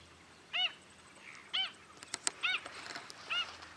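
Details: Wrybills, with distinctive right-curved beaks, at Miranda in February 2012: four short, clear, ringing notes, each bending up then down with rich overtones, spaced about a second apart, with faint clicks and ticks between them.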